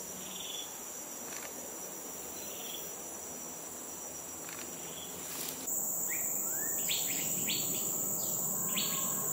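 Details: Migratory Green-backed Flycatcher, an uncommon winter visitor, at a roosting spot in Dairy Farm Nature Reserve, Singapore; after steady insect hiss, short upward-sweeping chirps and clipped notes arrive in the last few seconds.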